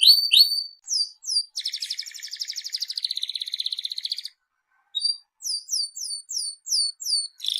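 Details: Canary delivering high hooked whistles, then a dense rolling trill lasting over two seconds, a short pause, and a fresh series of separate downslurred whistles.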